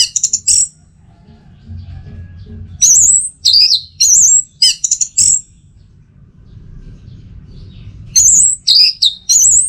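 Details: Repeated teler phrases from an orange-headed thrush (anis merah), used to coax caged birds into song: clusters of high piercing whistles separated by quiet gaps, each cluster of four to six notes rising and falling.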